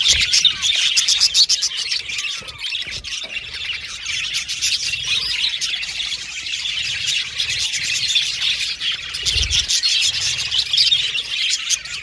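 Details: Colony of budgerigars in an aviary keeps up rapid, overlapping chirping, several high tweets a second, with warbled chatter running on without a break.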